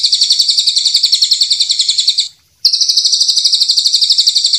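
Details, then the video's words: White-rumped shama, champion and young spotted birds in a training recording: a steady, buzzy, pulsing trill, broken by a short gap midway, then continuing at the same pace. "masteran murai batu juara dan murai batu bahan trotol"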